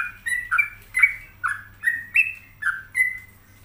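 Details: Sooty-headed bulbul singing in lively gacor style: short slurred whistled phrases, each dipping then rising, repeated about every half second with a steady low hum beneath.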